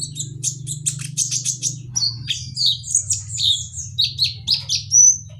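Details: Sunbird in an aviary pouring out rapid high chirps and twittering whistles, with a steady low hum running beneath throughout.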